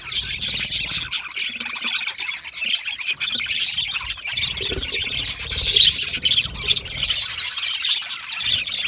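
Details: Chorus of contented Australian budgerigars in a colony setting, a steady wash of squawky chirps and buzzy warbles, with a few clearer whistled notes standing out and faint low rumbles underneath.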